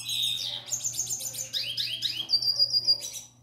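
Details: Canary hatched in the 2021 season, singing to a female: fluid rapid song of swooping whistles, trills and a long steady high note near the end, over a faint electrical hum.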